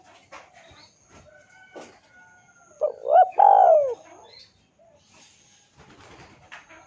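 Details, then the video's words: Spotted dove calling to lure a rival into answering. A single loud phrase of short rising notes and a drawn-out descending coo sits in the middle, amid faint scattered chirps and light background clicks. "PANCINGAN SUARA BURUNG TEKUKUR DERKUKU MEMANGGIL LAWAN IKUTAN BUNYI"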